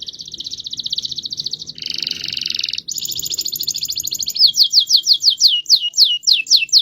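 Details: Canary rolling song with changing trills: a fast buzzy roll, a lower harsher burst, a very high trill, then loud repeated downward-slurred whistles.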